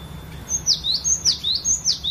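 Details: Caged cinereous tit singing a varied song used to encourage other birds; loud high whistles, each a level tone sliding sharply down then up, repeated about every half second, over a faint low hum.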